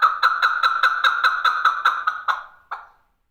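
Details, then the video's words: Male chakor partridge calling: a rapid run of harsh, clucking notes about seven per second, steady then slowing and fading, with one final separate note after a short pause. "male chakor partridge voice"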